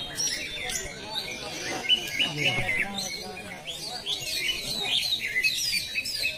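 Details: Greater green leafbird, plain class, at a singing training contest in South Aceh: fast chattering and chirpy warbles in quick bursts, several strong accented notes, with background talk and crowd noise.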